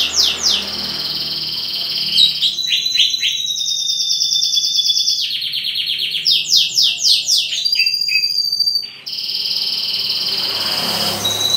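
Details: Green leafbird during pairing, delivering a loud, continuous song of rapid trilled whistles and buzzy repeated notes, shifting between high sustained tones and quick descending series, about four per second, with faint background hum.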